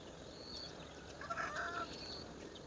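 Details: A young Indian roller in the woods near its nest gives a single short, harsh, rasping burst lasting about half a second, over steady low background hiss and faint high thin notes.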